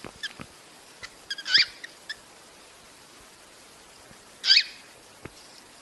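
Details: Cockatiel sounds intended to encourage breeding: two sharp, raspy screeches about three seconds apart, with faint ticks and clicks scattered through a quiet, hissy background.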